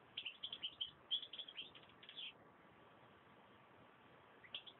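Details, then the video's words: European goldfinch song: a quick string of sharp chirps and twitters lasting about two seconds, then near silence before a final brief chirp; the recording is muffled, with background hiss. "chant chardonneret"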